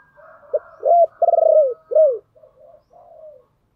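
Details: Spotted dove giving its lure call to other doves: a brief clipped note, a rising arched coo, a long pulsing coo sloping down and a final arched coo, then softer distant cooing answers.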